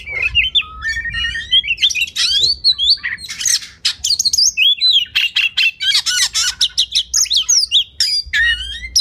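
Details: Oriental magpie-robin masteran song, used to train competition birds: a rich stream of clear whistled notes sliding up and down, then dense bursts of rapid chattering and buzzy trills, with a faint low hum underneath.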